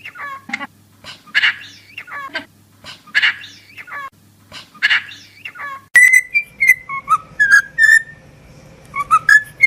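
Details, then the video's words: Cockatiel song opening with repeated raspy chirps and short warbles about every second and a half, then shifting into a string of clear whistled notes that slide up and down in a lively tune. "Calopsita Cantando e Falando - Som da Calopsita"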